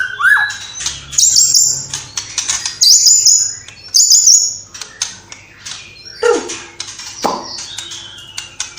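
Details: White-rumped shama of Cililin in full voice with copied sparrow, lovebird squabble and bulbul calls; high buzzy chattering phrases alternate with downward-sweeping whistles and clicking notes, in bursts with short pauses.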